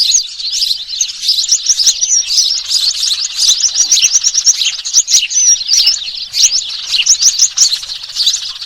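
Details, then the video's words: Busy, continuous high twittering from Eurasian tree sparrows and small birds, a lure sound for catching birds; countless short overlapping chirps with occasional thin whistled slurs. "suara pikat ampuh, gereja ribut VS burcil ribut"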